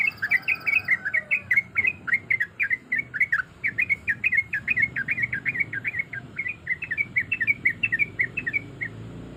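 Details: Yellow-vented bulbul female in breeding condition calling males, recorded as a lure; a steady run of quick, bubbly chirped notes, several per second, each sliding up and down, continuing for about nine seconds.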